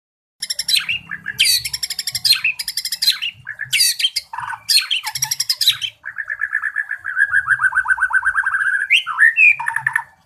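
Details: White-rumped shama kept in a cage in Indonesia, singing actively ahead of a song competition: harsh, buzzy bursts alternate with a rattling mid-pitched trill, finishing in quick upward sweeps.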